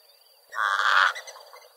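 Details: Pied crow of South Africa gives one harsh, hoarse caw lasting just over half a second, over a faint background hiss.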